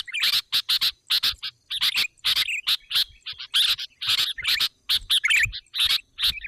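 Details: Sooty-headed bulbul calling as a lure for other bulbuls: bright clipped chirps in irregular pairs and triplets, occasional bubbly warbled phrase, short clean gaps between bursts.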